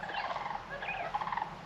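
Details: Sandhill cranes near a campsite just outside Saratoga, Wyoming, some on a small ridge, give overlapping rolling, rattling, bugled calls in a rough, gurgling chorus, at a distance the recordist could not judge.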